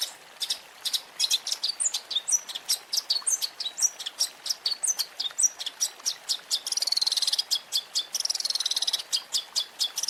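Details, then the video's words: Long-tailed shrike, offered as a champion fill-phrase training recording for caged birds. Fast, scratchy high chirps with scattered whistled slurs. Two brief stretches of rapid trilled buzzing interrupt the run of notes. "Masteran Burung Cendet Terbaik 2026 | Full Isian Juara Nonstop"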